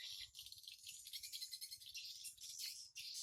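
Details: Swiftlets flying in and out of a simple nest house on 14 August 2018 at 07:25, giving a dense, continuous wash of high, rattling chirps and clicks with no break.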